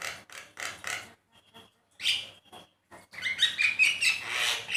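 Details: Javan myna song used as a master to prompt pet birds to sing: harsh, wheezy bursts, faint short notes, then a dense scratchy phrase mixed with high whistles.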